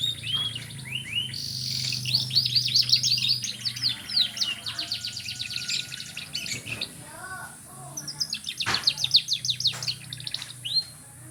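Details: Singing canary delivers long rolling trills of rapid repeated notes, a few slower lower whistled notes midway, then another fast trill burst, all over a continuous low hum.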